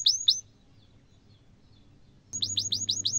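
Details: Canary song used as a training lure for young canaries learning to sing: two sharp down-slurred high chirps, a pause, then a rapid run of five similar whistled chirps, over low background hum.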